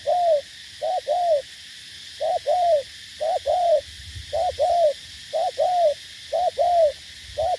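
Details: Decoy spotted dove in Cà Mau, Vietnam, kept for trapping rivals, giving hollow mellow coos in linked groups, a short note followed by a longer arched note, each phrase roughly a second apart, with low rumbling background noise.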